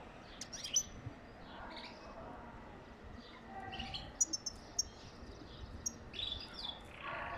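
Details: European goldfinch singing to encourage mating, a lively jumble of high twitters, sharp clicks and buzzy slurred notes in irregular clusters throughout, over constant background hiss.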